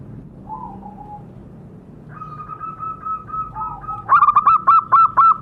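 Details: Zebra dove sound played to prompt caged birds to call. Soft early coos lead into a sustained tone, then loud, rapid, bubbling coo notes repeated several times a second at the end, over low background noise.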